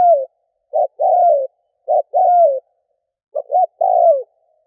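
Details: Vietnamese spotted dove decoy call used to attract wild doves. Three clear cooing phrases, each a short double note and then a drawn-out coo that slides downward. The pauses between phrases are quiet.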